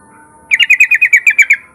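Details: Yellow-vented bulbul song used as a lure to make other bulbuls sing: a rapid run of about ten sharp, evenly spaced chirps at a steady mid-high pitch, easing slightly downward, over a faint constant hum.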